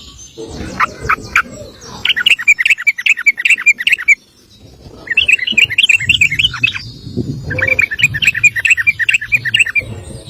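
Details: Sooty-headed bulbul 'ropel' song, a long rapid master for training other birds. Three fast rippling bursts of chirpy notes are separated by short pauses, over soft low background noise.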